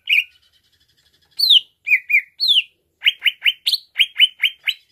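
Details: Greater green leafbird, played to make a bird worked up fast: one opening note, a pause, several descending whistled slurs, then a quick run of nine bright chirps.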